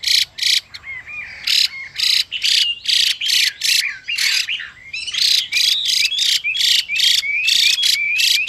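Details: A female Chinese hwamei gives harsh rasping calls meant to spur a male, who answers with sweet whistled slurs. Buzzy bursts come about twice a second, with rising whistles threaded between them.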